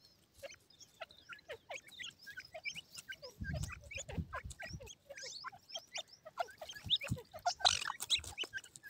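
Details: Captive grey francolin chicks with white plumage peck at and play with feed, giving a steady stream of brief high cheeping notes from several birds, irregular and overlapping, with a short burst of low rumbling noise partway through.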